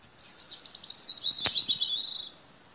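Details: A Bicknell's thrush on its breeding territory gives one thin, very high, reedy song phrase of about two seconds, wavering and spiraling downward before levelling off, with a faint click midway; Bicknell's thrush.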